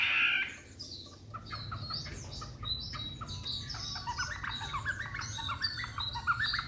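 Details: Young caged white-rumped shama, three months old, in Hanoi, Vietnam: soft varied warbling of short whistled and chirped notes, fairly quiet against a low rumbling hum.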